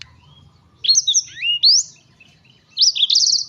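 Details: Black-throated canary (blackthroat) sounding agitated, delivering two short bursts of song: first sweeping up-slurred whistles, then after a pause a quick rattling trill of high notes.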